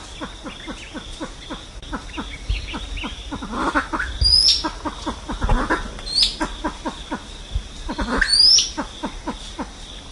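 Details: Silver pheasant giving its flock-gathering call, a long train of quick, clipped clucks repeated several times a second, with brief high, thin whistled notes from another bird cutting in three times.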